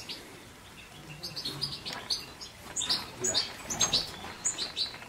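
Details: European goldfinch delivering a lively, continuous twitter of sharp, high chirps and liquid notes that grows denser and louder toward the end.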